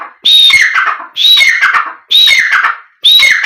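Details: Black francolin voice for stirring birds to call: four loud, scratchy phrases, each beginning with a clear high whistle and breaking into rough, tumbling lower notes, repeated at a steady pace near one per second.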